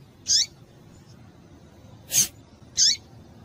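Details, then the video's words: Double-collared seedeater female, calling to excite males, gives a high downward-sweeping chirp, a sharp broadband tick, then another falling chirp, spaced under a second apart over light hiss. "Melhor fêmea de coleiro quente para esquentar coleiro"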